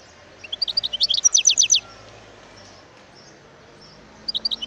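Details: Wild European goldfinch song recorded in 2018: a quick burst of high, tinkling notes that speeds into a run of descending chirps, a pause with faint background hiss, then a second short twittering phrase.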